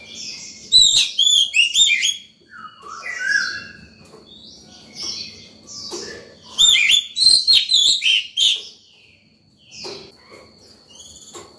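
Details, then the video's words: In the morning, a white-rumped shama in top form sings loudly to call birds and train young birds, with varied whistled phrases, sweeping slurs and dense trills coming in two main bursts amid quieter notes. "Chòe than vào lửa hót sổng buổi sáng, gọi bổi, tập chim non hay!"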